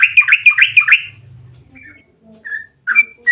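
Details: A rapid run of liquid, warbling notes from a yellow-vented bulbul singing its long ropel, a lure to make bulbuls respond. It then breaks into a few scattered short chirps.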